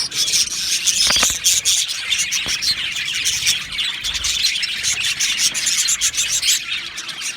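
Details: Two male budgerigars, Australian budgies, warbling: a loud burst of bright, high chirps in the first two seconds, then a dense chatter of tweets and clicks that continues steadily.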